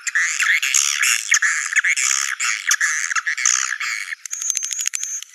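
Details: Swiftlet calls played to attract the birds to their nests: a loud run of rapid buzzy chirping twitters for four seconds, then a fast series of dry clicks at the end.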